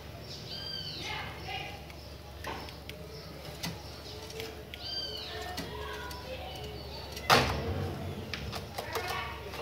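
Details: Chopi blackbird singing, with repeated clear whistled phrases, each a short stacked note with rising and falling harmonics, about every four seconds, among scattered sharp clicks and knocks and a low steady background hum.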